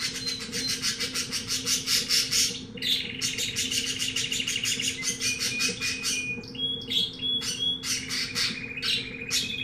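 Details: Canary of unknown type, bought at a pet shop (owner unsure whether timbrado, criollo, etc.), singing a lot: a long, fast song of rapid chirps and rolling trills with clear whistled notes held high, over a steady low hum.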